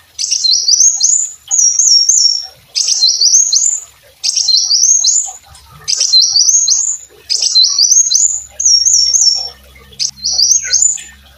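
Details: Brown-throated sunbird (kolibri wulung) singing persistently, used as tutor song for training other songbirds; high, thin twittering phrases with quick rising and falling notes, repeated in eight bursts under a second long, separated by short pauses, faint low rumble late on.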